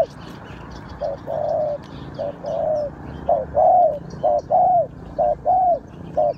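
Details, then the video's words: Spotted dove cooing as a trapping lure: a run of soft, hollow coos grouped into short and longer notes, each longer coo slightly falling at the end. Distant bird twitters and low outdoor noise accompany it. "Tiếng chim cu gáy mồi chuẩn gáy gọi cực hay"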